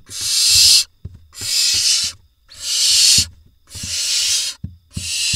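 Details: Barn owl nestlings in an Israeli nest box, 27 June 2021, after the male delivers a vole: five long, breathy screeching hisses, each lasting under a second and repeated at a steady rhythm with short gaps, plus faint knocks.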